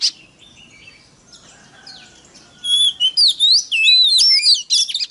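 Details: Oriental magpie-robin lure song for stirring rival birds: faint soft warbling for over two seconds, then a loud, fast sequence of looping whistles and sharp chattering notes to the end.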